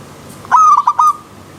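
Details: Single short zebra dove phrase from the wild, a fast bright stutter of four ringing coos lasting about half a second, over a quiet river stream backdrop.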